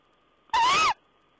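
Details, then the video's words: Owl calling on 14 April 2010: one loud, harsh, rasping squeal of under half a second that rises and then falls, over a quiet background with a faint steady electronic tone. "Owl's talk"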